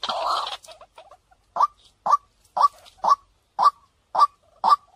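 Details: Decoy recording of a white-breasted waterhen: after a short harsh burst, seven evenly spaced clipped notes follow, each with a small rising flick, roughly two per second over a quiet background.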